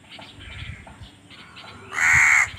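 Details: A crow gives one loud, harsh, drawn-out caw near the end, after fainter calls in the background; the recording comes from a series about crows fighting for food.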